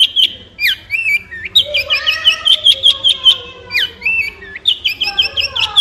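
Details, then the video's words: Long-tailed shrike singing a lively mix of whistled slurs, sharp repeated notes and short chattering runs, delivered almost without pause. "Long Tailed Shrike With Beautiful Sound"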